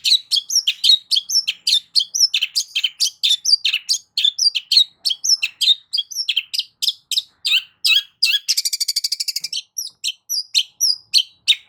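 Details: Long-tailed shrike singing intended to provoke a silent shrike: a dense, rapid stream of varied high chirps and slurred notes, with a brief buzzy rattling trill near the end.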